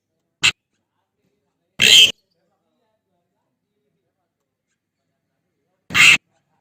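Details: Javan pied starling calling for its mate: a tiny clipped note, then two rough, scratchy squawks separated by about four seconds of silence.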